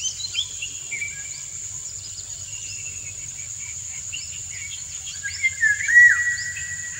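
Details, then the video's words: Male Indian golden oriole singing a courtship song to stimulate a dancing female; faint fluty whistles around a steady high insect drone, then a louder slurred whistled phrase near the end. "Indian Golden Oriole - An Uncut Courtship Session"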